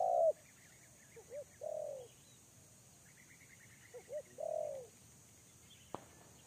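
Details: Spotted dove kept as a lure bird, calling while facing a wild dove. Its low, mellow coo phrases hold short clipped notes followed by a longer, drawn-out coo, in three groups separated by pauses, with faint higher chirps in the background.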